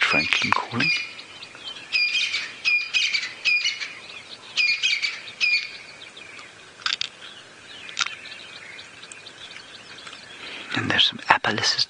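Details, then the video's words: A crested francolin gives harsh, rattling phrases in quick repeated bursts amid a dawn chorus at sunrise on Nov 11, 2017, in the Sabi Sand near Kruger Park, South Africa, on a still morning after heavy overnight rain; a man speaks quietly. "That's a crested francolin calling."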